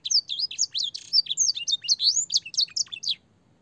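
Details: Training song for young canaries, in a clear voice with blackthroat and sanger phrases: fast, varied, high warbling of looping whistled notes and brief buzzy trills, steady for about three seconds before stopping.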